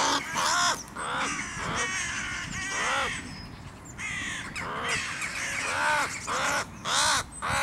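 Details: Crow battling a goshawk that tries to kill it with its talons: strident, harsh caws in repeated clusters, nearly two per second, loud and grating with short pauses between groups.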